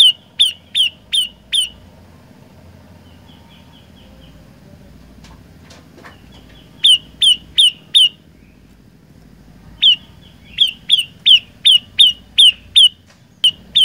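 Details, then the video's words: An olive-backed tailorbird singing in a lively gacor style gives bursts of sharp, high, downslurred chips, about five at a time, broken by quiet pauses of several seconds with only faint hum behind. "Burung Prenjak Lumut Gacor Suara 3 Variasi"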